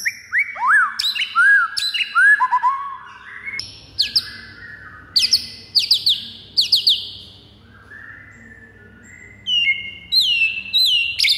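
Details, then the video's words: A white-rumped shama sings its fighter song to provoke other birds: loud looping whistles and sharp downslurs in quick groups, a quieter gap, then clear rising whistles returning at the end. "MURAI FIGHTER PENDONGKRAK EMOSI DIJAMIN NGAMUK DALAM HITUNGAN DETIK"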